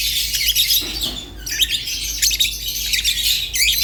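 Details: Singing rosy-faced and Fischer's lovebirds: a fast stream of shrill, twittery notes, a brief lull near one second, then more squeaky, rising chirps.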